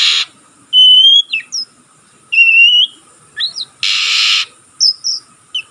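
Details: Learning young oriental magpie-robin giving short pure whistles, some rising, others swooping, spaced by pauses, with two loud hissy noise bursts breaking in; otherwise quiet background.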